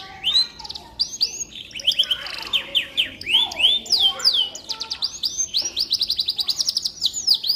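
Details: Canary song, used as a training tutor for magpie-robins: rapid varied phrases of whistled upward and downward sweeps mixed with fast buzzy trills, continuous and bright, with faint low hum in the background.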